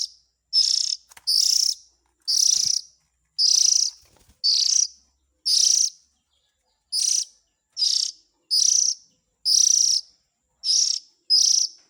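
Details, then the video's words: Lure sound of Oriental magpie-robin young aimed at adult birds: a run of about thirteen harsh, hissing rasps at uneven intervals, mostly one per second, with a few faint clicks between them. "Suara Pikat indukan burung kacer ,suara anak nya"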